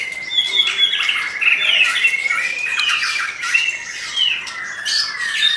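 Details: White-rumped shama in energetic song: harsh squawky notes and buzzy phrases over a sustained whistled tone, with sharp high accents scattered through and little break between phrases.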